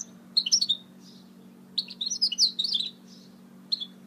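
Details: A goldfinch mule sings in short bursts of bright, buzzy twitters and chirps separated by pauses, over a low steady hum.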